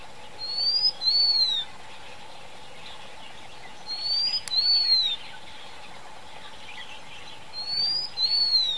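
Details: Blue-winged minla giving three thin, high whistled phrases about every three and a half seconds, each a short rising note then a longer, slightly falling one, over a steady faint hum.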